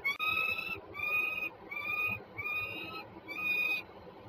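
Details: Two peregrine falcons at Żerań, Warsaw, Poland, 26 September 2022: a series of five loud, harsh, drawn-out wailing notes, each about half a second long, with short gaps between them and faint background rumble.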